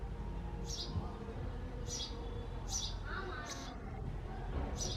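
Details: Male house sparrow calling nonstop from a nest box in a backyard: loud, buzzy chirps repeated about once a second, each a short downward-sweeping note, over a steady low background hum.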